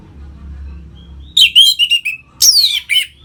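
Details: Orange-headed thrush singing gacor ngeplong phrases to rouse other birds into breeding mood: a descending series of warbled whistles followed by a loud sharp downward-sweeping note and a final short chirp, soft hum beforehand.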